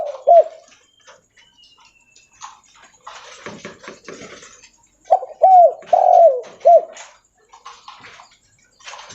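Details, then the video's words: Spotted dove, known locally as derkuku leopard, calling loudly while walking: a short burst of low, rounded coo notes at the start, then after a gap a cluster of four mellow coos, with scattered clicks and rustling between phrases. "Suara Derkuku Leopard Volume Besar Super Gacor Bunyi Sambil Jalan"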